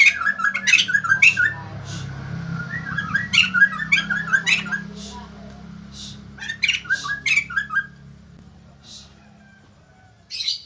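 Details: Lively song of a white-crested laughingthrush that draws responses from other birds: clusters of fast whistled and squawky notes alternating with quieter gaps and a steady low hum.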